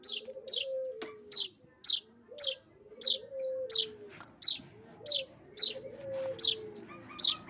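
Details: Streaked weaver chick being hand-fed, giving sharp, high chirps about every half second, roughly fourteen in a row, over a lower, sliding, whining tone that rises and falls in the background.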